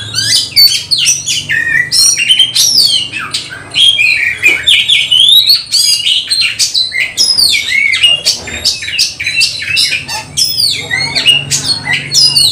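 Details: Oriental magpie-robin locked in a fight, singing with rising emotion: long, nonstop stream of sweet whistles, swooping slurs, scratchy notes and sharp ticks, loud and varied, over a soft low drone.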